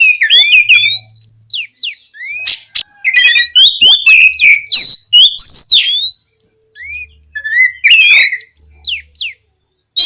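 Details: Oriental magpie-robin in loud, continuous gacor ngeplong singing, meant to prompt untrained magpie-robins to sing and answer: rich varied whistles, rising and falling slurs and sharp chirps delivered in quick bursts with brief pauses.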